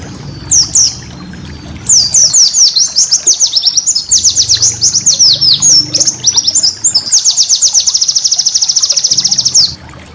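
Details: Shrill white-eye song for training caged birds: a few high chirps, then a tumbling series of quick downslurred notes running into a long, steady, rapid trill. A faint low hum comes in at the pauses.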